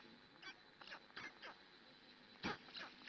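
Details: At a Hungarian black stork nest around 6 a.m., 2017, with the female caring for her young: a few brief harsh wheezy notes in quick succession, ending in one louder rasping call, over constant low hiss.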